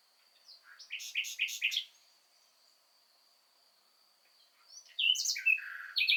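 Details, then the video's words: Common nightingale in spring delivering two song phrases separated by silence: first a series of rapid loud chirps, then a brighter run of varied whistled and trilled notes, with a faint continuous high tone. "Ruiseñor Común cantando, el Tenor del bosque"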